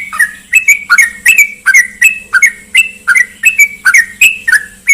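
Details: Trucukan (sooty-headed bulbul) lure recording for getting a silent bird to sing: a steady series of brief, clear, slurred notes, often in pairs, repeated about every half second.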